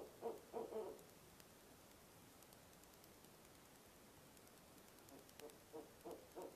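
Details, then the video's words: At a nest box at 2 a.m. in early November, a barred owl's monkey call: a few quick hooting bursts, several seconds of quiet night, then another short series of hoots. "Barred Owl - Nov 4, 2am Monkey Call"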